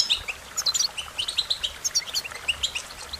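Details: American goldfinch song: bright, high twittering notes with quick sweet slurs and short chips. The phrases are scattered and repeated in rapid bursts over a faint, steady background hiss.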